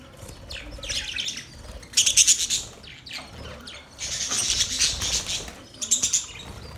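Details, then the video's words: Budgerigars producing a mating sound: two loud bursts of rapid, buzzy high chirping around the second and fourth seconds, with softer warbling between and a brief flurry near the end. "Budgies matting sound"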